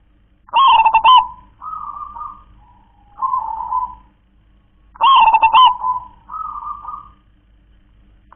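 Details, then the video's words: Local zebra dove repeats its kong klar-ke-tek-kong song twice, about four seconds apart. Each phrase is a quick, broken series of low coos, then a steadier hum-like coo and a fading softer coo. Recorded in quiet surroundings. "perkutut lokal warisan suara KONG‼️KLAR-KE-TEK-KONG"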